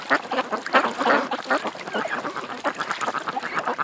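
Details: Dense quacking from ducks at a creek, rapid harsh nasal calls tumbling over one another with hardly a pause.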